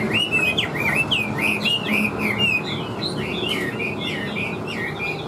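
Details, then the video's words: Caged wild-caught Chinese hwamei singing a lively series of clear, curving whistles, short phrases repeated roughly twice a second, some notes sliding steeply upward. "Họa Mi Chơi Cánh, Đuôi Lá Vả - Hót Hét Tốt Giọng Căng - Chim Rừng"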